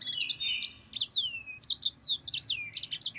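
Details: Yellow-fronted canary in long rolling song: rapid high-pitched whistled notes sweeping down in pitch, chained with brief warbles, almost without gaps, over faint low hum.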